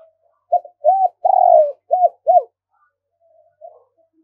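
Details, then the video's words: Spotted dove from Đồng Nai calling as a decoy to attract doves: a mellow five-part coo phrase with a long rolling middle note, followed by a pause and faint scattered coo fragments. "Tiếng Chim Cu Gáy Đồng Nai Thúc Bổi Nhanh Về Cội"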